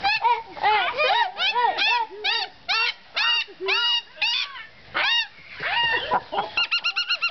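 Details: A cockatoo at Plantaria in Kevelaer, Germany, gives a hoarse, rhythmic 'hee-hee-hee' laugh, about three arched notes a second, then ends in a quicker burst of short cackles.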